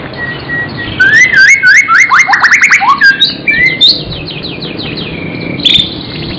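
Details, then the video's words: A magpie-robin sings gacor isian: after a thin whistle, a fast rhythmic cascade of sharp downslurred notes, then softer rising notes and a final high chirp. "burung murai gacor isian"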